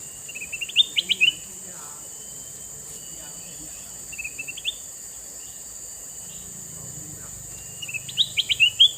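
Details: Male red-eyed sooty-headed bulbul giving three short bursts of lively twittering notes, spaced a few seconds apart, fairly quiet against a constant high hum and faint background noise.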